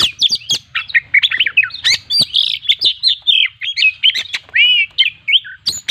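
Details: Chatty Oriental magpie-robin in full song with imitated fill-ins, used as a lure: rapid, loud, varied whistled phrases of steep up-and-down slurs, delivered in quick bursts with clicks in between.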